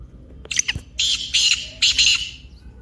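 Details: Black francolin uttering a loud, grating squawk-like phrase: a few sharp ticks leading into three or four long rasping bursts, close and clear.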